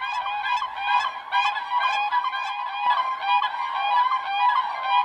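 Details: A bonded pair of Siberian cranes in winter at the Oka reserve, Brykin Bor, Ryazan region, calling in unison: male starts, female weaves in; high, flute-like ringing notes, two or three a second, forming one continuous pair-bonding duet.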